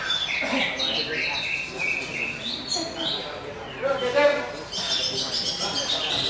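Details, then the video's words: Greater green leafbird delivering clear whistled notes that shift in pitch, then scratchy chatter and a burst of high, hissy phrases. "CUCAK HIJAU BUSSER"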